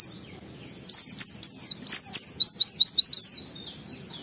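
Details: Kept Oriental white-eye in ngalas song, a lure for prompting other white-eyes to sing: after a quiet start, a lively string of about a dozen high, sharply falling whistles, then softer twitters.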